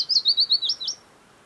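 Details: Wild Willow Warbler in a lush Norwegian summer near Geilo, Buskerud County: a brief phrase of seven clear, slurred notes, loud at first and gently fading, ending after one second in quiet.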